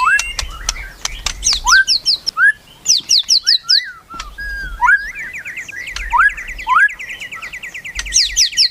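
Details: White-rumped shama giving melodious, varied song: clear upswept whistles alternating with high tinkling note clusters, closing in a long, even, rapid trill.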